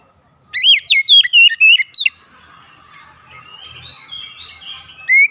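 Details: Oriental magpie-robin singing, kept as a practice or therapy recording: a fast burst of loud whistled and chirped notes around two to four kilohertz for about a second and a half, then quieter warbling and a final rising note.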